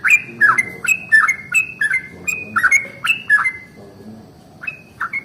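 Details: Yellow-vented bulbul giving its long rolling morning song, ropel panjang, to provoke other bulbuls to sing. Fast bubbly downslurred notes run for about three and a half seconds, pause, then two short phrases resume.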